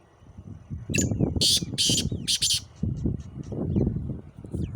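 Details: Male black francolin, the kala teetar, calling: a run of harsh, scratchy broadband notes over a steady low rumble, with faint thin chirps of other birds in the background.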